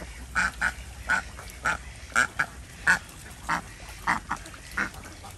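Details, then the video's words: Desi ducks on a village farm in Andhra Pradesh, India, calling in the morning during egg collection: loud, nasal quacks repeated in irregular bursts about every half second, with a faint low hum underneath. "Desi Duck"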